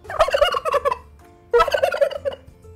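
Two bursts of a turkey's rapid, bubbling gobble, each a rattling cascade of throaty notes.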